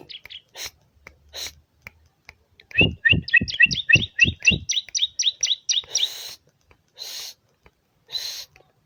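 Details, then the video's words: Bar-winged prinia giving a fast run of about a dozen sharp two-toned chirps, each with a dull thump beneath. Scattered single ticks and soft higher hisses come before and after. "BURUNG CIBLEK Mu bakal ..langsung ikutan bunyi"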